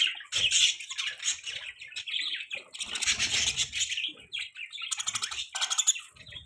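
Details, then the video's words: Budgies chirping at morning time, a continuous scratchy, twittering chatter with sharp clicks and buzzy trills, plus some low rustling beneath. "Budgie Bird chirping sounds in morning time"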